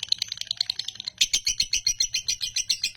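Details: Champion male lovebird singing in the konslet style: a fast, unbroken chatter of sharp, high chirps, roughly seven a second and steady throughout, with a faint low hum underneath.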